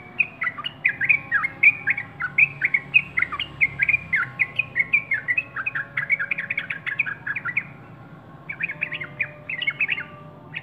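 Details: Yellow-vented bulbul singing: a quick run of bright, bubbly warbled notes that slide up and down, pouring out for about eight seconds, a short pause, then a fresh burst of chirpy phrases. Faint low hum underneath.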